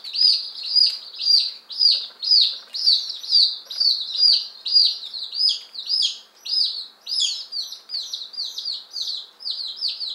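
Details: Fifteen one-day-old chicks, Appenzeller Spitzhauben and White Crested Blue Polish, fresh arrivals on May 19, 2015. Steady, rhythmic high peeps, each a short downslur, repeated about twice a second by the flock.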